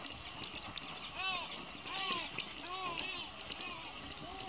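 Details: A group of silver gulls, with Pacific gulls also present, line the boardwalk at Tamar Island Wetlands and give harsh, arched squawks about once a second, several birds overlapping over a hiss of background noise.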